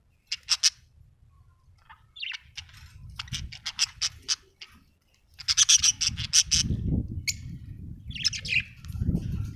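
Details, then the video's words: Budgie from Australia chirping: short, sharp, high clicks and chirps in scattered bursts, some clustered into quick chatter, over a steady low rumbling background noise. "budgie chirping sound"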